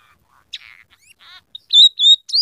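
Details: Scaly-breasted munia (emprit peking) in full song, its repertoire filled with rough canary phrases plus house sparrow and red siskin sounds; soft buzzy notes, then loud, clear whistled slurs around the middle and end, repeated three times.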